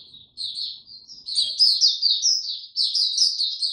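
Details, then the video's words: White-eye opening into song in warm, very humid weather on 26 March 2022: a rapid, high-pitched warbling twitter of slurred notes, starting with short thin chirps and then running together into a continuous, rippling stream. "Mata Puteh Hercules buka sing warm n very humid weather"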